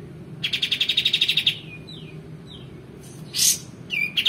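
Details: Male white-eared bulbul singing, used as a tutor recording for other songbirds: a rapid buzzy trill of about sixteen notes, then thin descending whistles, a loud harsh burst and a final trill start.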